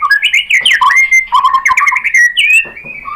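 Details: Murai batu, the white-rumped shama, in a lure song to goad another shama into singing, delivering a loud, fast, varied run of slurred whistles and chattering notes that rise and fall without a break.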